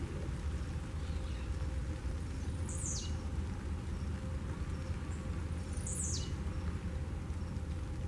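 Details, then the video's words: Blue-black grassquit singing and hopping about outdoors: a short, high, buzzy downslurred note given twice, about three seconds apart, over a steady low rumble like distant traffic. "Tiziu Cantando"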